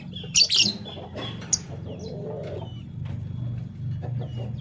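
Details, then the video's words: Lovebirds of the Fischer's and masked kinds, morning: a loud, piercing squawk burst at the start, a short shriek soon after, then quiet scattered chirps over a low hum. "LoveBird Chirping Sound - Lovebirds Fischer & Lovebirds Personata"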